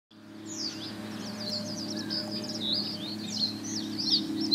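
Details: Male common reed bunting singing on 29 May 2017 at 16:45 by a seepage ditch in Ochsenmoor, Hüde: high, scratchy chirps and short buzzy notes tumbling along almost without pause, over a steady low mechanical hum.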